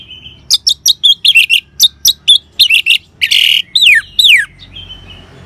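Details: Ngeban song of an orange-headed thrush, meant to prompt other birds to sing: rapid string of crisp, clipped chirps and twisting notes, then a harsh rasp and two long downward-sweeping whistles.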